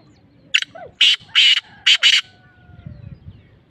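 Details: Black francolin giving a brief harsh note, then four loud rasping, buzzy bursts in quick succession, the last two nearly joined. A faint thin whistle trails afterward against low background murmur.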